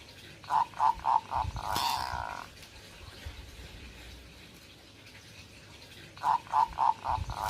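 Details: Zebra dove in breeding condition: two quick bursts of four or five short, mellow cooing notes several seconds apart, with a brief noisy clatter after the first burst and a soft background rumble.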